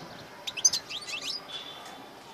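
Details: Male European goldfinch song during cold, overcast, almost rainy weather, delivering a takreem-style phrase: a quick cluster of sharp, high chirps and twitters lasting under a second, then a thin drawn-out whistle over soft background noise.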